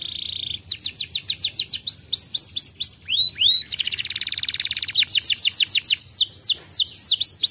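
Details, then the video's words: Canary song used as a lure for a canary reluctant to sing: a short steady tone, fast sweeping whistled notes, a loud buzzy trill, then repeated down-slurred and rising chirps. "pancingan Kenari malas bunyi"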